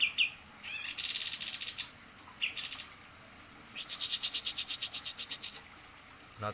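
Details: Singing white-eye, praised as energetic, gives short high squeaky notes, then two bursts of fast, evenly pulsed high trills separated by a brief pause. A steady low background hum runs throughout.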